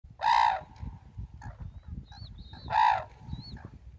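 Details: Red-crowned cranes at Ito Sanctuary, Tsurui village, on 30 November 2016: two loud, ringing trumpeted calls about two and a half seconds apart, rich in harmonics, with thin high whistles of other birds between them over a low rumbling background.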